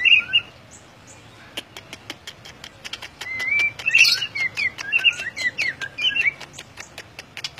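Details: White-rumped shama singing in the gacor ngeplong style: sharp clicks at first, then bright whistled phrases with quick slurred notes and warbles, rising and falling in rapid bursts.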